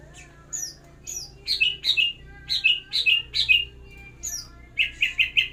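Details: Greater green leafbird during pairing for breeding in captivity, giving bright, high chirped notes in quick, uneven bursts, some paired, with a final rapid run of three to four notes and a low steady hum behind.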